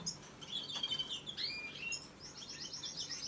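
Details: Young canaries begging during feeding, giving squeaky slurred chirps and upward sweeps that break into a rapid, rattling burst of high repeated notes near the end.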